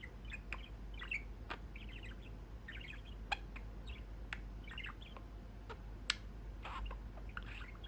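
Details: Male pet budgerigar perched at a small window in his cage, chatting with his owners indoors; scattered short chirps and soft warbled notes in loose clusters, broken by sharp clicks, over a steady low room hum.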